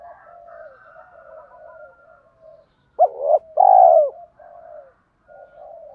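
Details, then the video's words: Spotted dove calling to lure wild doves in: continuous soft cooing in the background, broken by one loud two-part phrase, a short upswept note and a long mellow coo. "Tiếng chim cu gáy kích bổi nhanh nổi, gáy gọi và thúc bổi nghe về cội liền"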